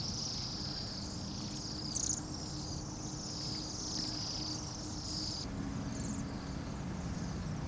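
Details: Large flock of Bohemian waxwings, perhaps 200-300 birds, in Anchorage at minus 8 degrees F. Overlapping high, shimmering trills form a continuous chorus that drops briefly after five seconds, over a low traffic hum.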